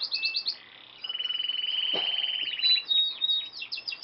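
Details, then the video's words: Canary singing a varied, high-pitched song: quick chipping notes, then a long rapid rolling trill lasting over a second, followed by sweeping down-slurred whistles and thin sustained tones; clean, quiet background. "cantos nuevos de canarios"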